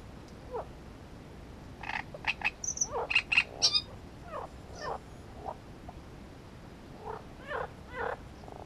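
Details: Great reed warbler singing: harsh, grating croaky notes in uneven bursts, some with thin high whistled squeaks above, spaced through the clip with quieter chatter toward the end.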